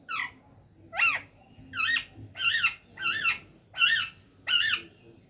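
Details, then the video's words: Pet talking parrot repeating a loud, wavering, harmonic call about seven times at a steady pace of roughly one per second, each note rising then falling in a brief warble, over a quiet background. "बोलने वाला तोता.. talking parrots.."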